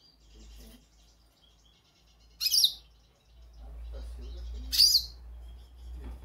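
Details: Goldfinch calling: two sharp, high, squeaky chirps about two and a half seconds apart, with soft low murmuring and background hum between them.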